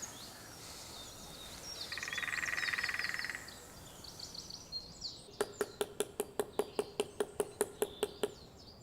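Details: A female woodpecker drums on the top of a dead ancient oak tree, advertising territory and presence to mates and rivals. About a dozen sharp, evenly spaced wooden knocks come in the last three seconds, after a brief buzzy trill and faint high bird calls.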